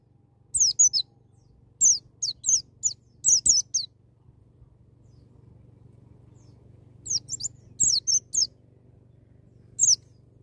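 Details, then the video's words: A white-eye sings in the wild style to provoke a young bird: scattered clusters of high, downslurred whistled notes, a long quiet gap in the middle, and a soft low hum throughout. "BURUNG PLECI NGALAS NEMBAK,MEMICU PLECI BAHAN CEPAT NGALAS BUKA PARUH"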